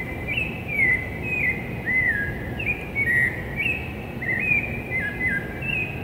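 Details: Rufous-bellied thrush singing before dawn in urban São Paulo, Brazil, on 11 September 2017: a continuous run of clear, fluting whistled phrases, each short and sliding, around six to eight notes per second-span, over steady low city hum.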